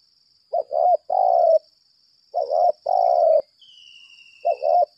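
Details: Spotted dove used as a decoy, 'lambung kuk' voice, calling in challenge: quick double coos followed by a long buzzy drawn-out coo, three phrases in five seconds, with a faint high whine behind.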